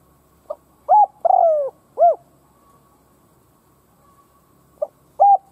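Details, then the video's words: Spotted dove decoy cooing to excite rival doves: a soft note, level coo, long downward coo and brief arched coo, then a pause before the next phrase starts; faint low background rumble. "Cu mồi gáy kích bổi chuẩn / Chim cu gáy kích bổi nghe là gáy / Cu gáy kích bổi nhanh căng lửa mới"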